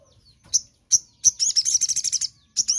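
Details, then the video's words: A crimson sunbird sings in the morning: separate very high sharp chips spaced half a second apart, then a quick string of bright, high twittering notes, another chip pair ending the clip. "Sogon Gacor di Pagi Hari"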